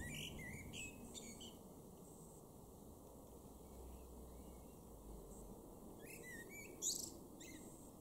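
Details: Male Common Blackbird singing in a garden in Weener, East Frisia, in Germany's far northwest, June 2022: faint, brief warbled phrases with thin, high twittering ends, heard at the start and again near the end over steady low background rumble.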